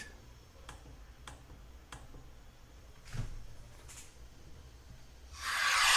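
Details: Faint ticks and soft clicks over a quiet indoor hum, ending in a loud rush of broadband noise.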